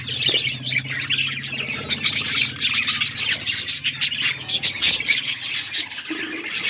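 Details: Budgerigars in an outdoor aviary chirping as a group: overlapping high twittering and short squawks run steadily throughout, over a faint low hum.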